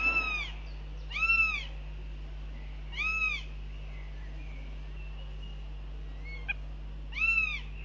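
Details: Northern goshawks at the nest during breakfast on 9 June 2021, filmed by a live cam, scolding the visiting male; five harsh, arched wails rising then falling, repeated about every one to two seconds, with a faint click and constant low hum.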